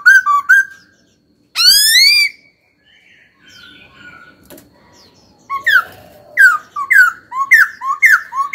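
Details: Young caged laughingthrush (khiếu tơ) singing loud slurred whistles, a long rising whistled note, a quieter pause with faint sounds, then a fast run of sharp downslurred whistled notes.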